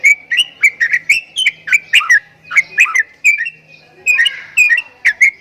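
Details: Javan myna giving strange sounds, a lively series of clicky whistled chirps, some dropping sharply, with a drawn-out thin whistle near the end before a few more chirps.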